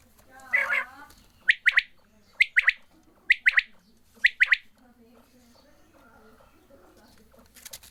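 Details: Quail being given water: a short harmonic squawk opens, then four bursts of two or three sharp, high chipping notes repeat about every second before fading into quiet murmuring.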